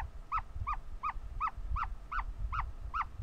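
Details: Ostrich chick vocal while hatching, giving a steady series of eight short, bright, down-slurred peeps, roughly three per second, over a low background rumble.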